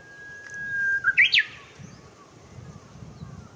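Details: A Japanese bush warbler sings at Showa Kinen Park on 10 April 2021, a plain held whistle ending in a sudden loud, rising two-part flourish, then quiet with faint background rumble.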